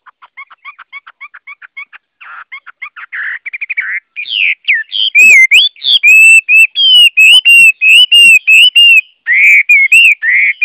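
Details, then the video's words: Chinese hwamei (Garrulax canorus) singing: a run of quick repeated chips builds into loud, rich whistled phrases, varied and rising and falling, delivered almost without pause. "Tiếng Họa Mi hót | The sound of the bird Garrulax canorus"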